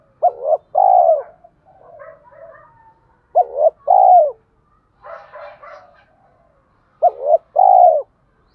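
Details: Spotted dove singing to lure wild males to fight it, with a 'giọng thổ' voice. A steady phrase of a short note and a long falling coo repeats three times, with softer scratchy muttering in between.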